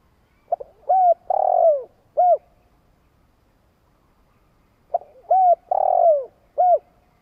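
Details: Decoy spotted dove giving its long coo to call up wild doves: two phrases of brief arched notes around a longer falling coo, about four seconds apart, in otherwise quiet surroundings.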